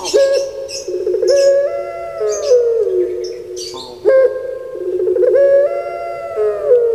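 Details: Caged puter pelung turtle dove from Java, Indonesia, voicing rich, throaty coos in two phrases, each a rising burst followed by a warbling, drawn-out low note. Faint high twitters from other birds sound in the background.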